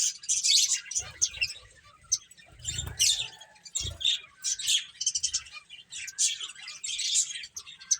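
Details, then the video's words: Finches at play give scattered bursts of shrill tweets over quieter moments. Muffled low thuds around three and four seconds suggest movement nearby. "Cute Birds Chirping Sounds | Beautiful Finches Playing"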